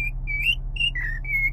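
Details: Cockatiel song, several short pure whistles in a row, one rising, one dipping lower, then a longer level note, with a constant low hum underneath.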